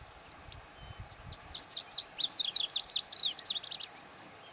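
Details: ['Male Lazuli Bunting singing its summer song in the Northwest: a fast, high, sweet run of varied chirped and slurred notes lasting about three seconds, with one sharp note before it and a steady high hiss behind.']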